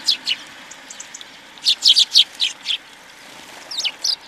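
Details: Winter flock of house sparrows at a feeder in Recke, Germany, January 2020: scattered sharp high chirps, a quick run of several notes midway, over a soft hissing background.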